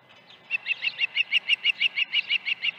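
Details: Osprey calling at its nest on the morning of 21 August 2019, when two fish were brought in; a steady series of short piping whistles, roughly six per second, rising in loudness after a quiet start.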